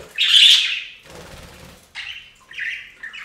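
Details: Budgerigars bathing on a fountain give a loud, buzzy chirp, then a burst of splashing water, followed by shorter warbled chirps.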